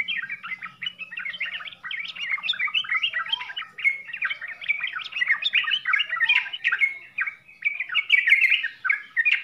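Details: Sooty-headed bulbul song, 'full isian' style: busy, scratchy chatter mixed with clearer whistled notes, running steadily, with a low hum at the start.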